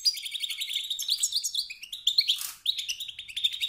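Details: A male European goldfinch gives continuous rapid twittering and buzzy trills meant to excite rival males into song, with a brief rushing noise around the middle.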